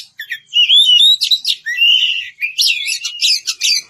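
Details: Oriental magpie-robin singing to summon a rival: clear drawn-out whistles sliding up and down, then a harsher rapid cluster of high chirps.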